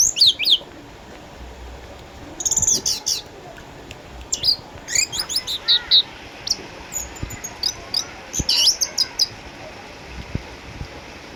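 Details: Lively song from a caged orange-headed thrush, eight years old, once a reigning champion in Sukabumi and now a house bird due to cataracts: repeated volleys of shrill, rapid high twitters and squeaks, separated by short pauses.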